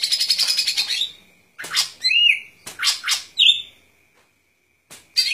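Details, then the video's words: Golden-fronted leafbird giving a rapid rattling trill, then loud buzzy chirps and sharp whistled notes in quick succession, ending after a brief silence with a final harsh burst. "Good Performance of Golden Fronted Leafbird"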